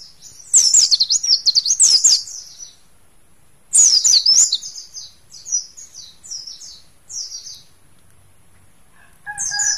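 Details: Mountain white-eye kept as a pet bird, linked to Mount Slamet, singing fast, high, jumbled twittering bursts followed by a slower series of short, sweet, descending chirps; a faint lower whistle enters at the end.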